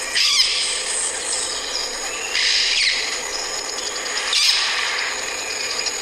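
Bronze-winged Parrot giving harsh, raspy screeches in three bursts roughly two seconds apart, with a faint hiss of background between them.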